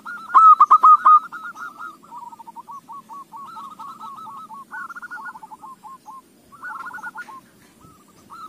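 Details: Zebra dove song played as a lure to set other doves singing: a brief loud burst of rapid hooked notes, then several softer overlapping doves trading quick, bouncing phrases of short tonal notes.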